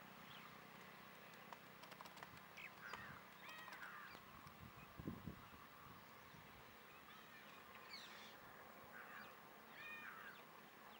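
White-naped woodpecker giving harsh, nasal, squeaky calls in short scattered bursts, over a steady low background hum with one dull thump.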